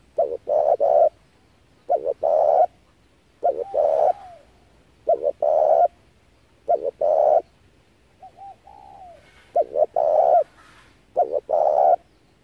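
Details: Repeated spotted dove calls from a lure recording for trapping: about six loud phrases, each a stuttered double note and a long raspy coo, spaced roughly every one and a half to two seconds, with softer gliding notes in gaps.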